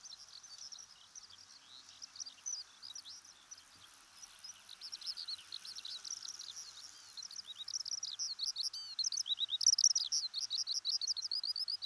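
Eurasian Skylark pouring out a long, unbroken stream of high, rapid chirps and trills that grow louder and busier toward the end.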